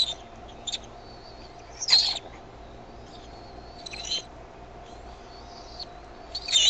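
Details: Bald eaglets at Decorah on a May 2015 evening while the mother brings food; scattered short, sharp high chips and faint, long thin whistles, with a few louder bursts spaced about two seconds apart.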